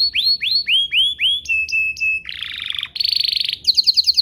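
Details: Canary song used as a lure to make other canaries answer. It has four rising whistled slurs, three flat whistles, a low buzzy roll, then a harsher rattling trill and a quick ringing pulse series.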